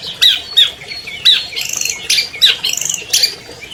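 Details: Albino long-tailed shrike, a 2020 champion, used to trigger song in silent captive shrikes: loud harsh squawks alternate with quick rattling trills, in uneven bursts about every half second.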